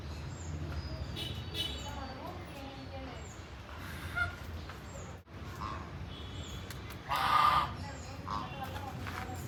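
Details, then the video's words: A goose roaming and walking gives a few nasal honks, with one loud, harsh honk near the end, over steady background noise and what may be distant voices. "Goose Sounds Like This"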